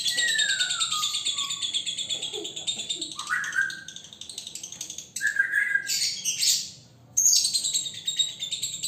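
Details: Male lovebird, single and caged, in training for the konslet style: steady buzzy chattering carries a descending whistle, then short rising whistles, loud harsh squawks around six seconds, a brief gap, and renewed rapid chatter.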